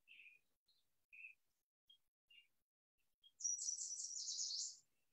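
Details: Yellow warbler, a swamp bird, song: a few scattered high chips, then a bright, fast, run-together phrase of sweet whistled notes lasting over a second.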